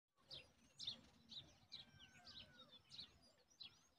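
Himalayan bulbul chicks give thin, high chirps, about two a second, in an uneven rhythm over a low background rumble.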